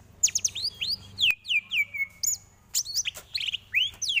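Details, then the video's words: Greater green leafbird song for tutoring caged birds: a busy jumble of fast rising and falling whistles, slurred downward notes and high chips packed closely together with little pause. "Lagunya Masuk ini Bos, Enak buat masteran"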